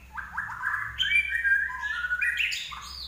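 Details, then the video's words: Common iora in full, lively song (gacor): a run of rising whistled notes followed by long, clear sustained whistles shifting in pitch, with a low steady hum underneath. "larwo Gacor"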